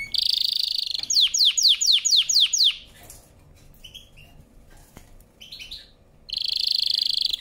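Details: Canary singing loudly: a buzzy trill, then a series of sharp descending sweeps. A pause with a few soft notes follows before another buzzy rolling trill.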